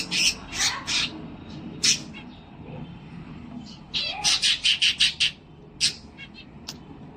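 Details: Pet cockatiel indoors, singing, dancing and playing: scattered harsh high squawks, then a tight burst of about six rapid squawking notes, with soft background voices.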